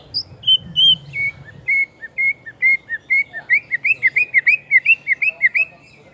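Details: White-rumped shama just after its moult, singing a lure song: clear whistled notes sliding down from high to mid pitch, then a quickening run of about twenty short, looping whistles at an even beat.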